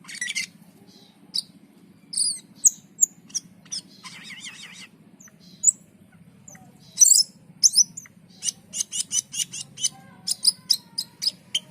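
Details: Cucak keling (black-and-white bulbul) in full song: scattered high whistles and harsh notes, then a long fast run of sharp buzzy chips, with a steady low hum throughout.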